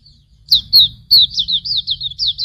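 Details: Hume's white-eye, tutor recording for training birds: a couple of high sliding notes followed by a rapid wavering run of chirps, with a low hum beneath.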